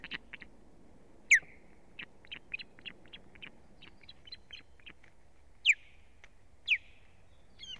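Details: Osprey alarm at the nest during an attack by foreign ospreys on the female, 1 May 2017: evenly spaced short chirps broken by three loud, piercing downslurred whistles.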